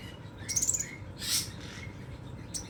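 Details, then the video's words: Scarlet minivet delivering 'nembak' song: one quick, very high pulsed trill, followed by a short loud hissing burst and faint soft notes, over a steady low background hum. "BURUNG SEPAH RAJA NEMBAK, ENAK BANGET SUARANYA"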